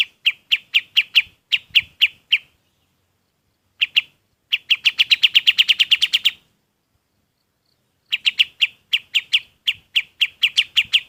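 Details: Golden-bellied gerygone song for training other birds: sharp high chips come in loose groups, then a dense, accelerating trill around six seconds. After a silence, spaced chips return in quick pairs and triplets.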